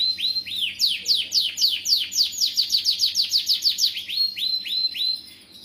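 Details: Lively canary song aimed at getting young canaries to sing: rising looped whistles, then a long rhythmic train of sharp falling sweeps, finishing with several upslurred notes.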